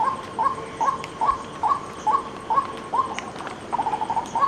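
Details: A white-breasted waterhen calls in a steady run of brief rising notes about two per second, then a short stuttering burst of quicker notes near the end, with light background hiss.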